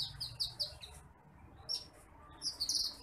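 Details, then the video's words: Branjangan apung bush lark, recorded to tutor other birds: a few sharp high chirps in quick succession, a short pause, then more bright chirps ending in a buzzy, sweet twitter. "MASTERAN BURUNG BRANJANGAN APUNG (TITIMPLIK)"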